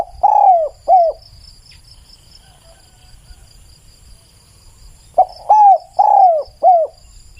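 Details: Spotted dove giving two cooing phrases about five seconds apart. Each is a short first note followed by drawn-out, slightly falling coos and a clipped final note. Steady insect buzz behind.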